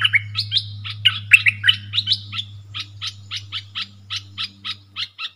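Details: Dok taeng style song from a caged bulbul dueling wild birds, 3 October 2021: fluty, slurred opening phrases, then a steady series of short chips, over a continuous low humming background.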